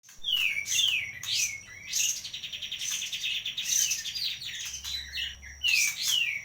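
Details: Sooty-headed bulbul singing a lively, varied song of quick high chirps, downslurred whistles and rapid buzzy trills in short bursts separated by brief pauses, with a faint low hum in the background.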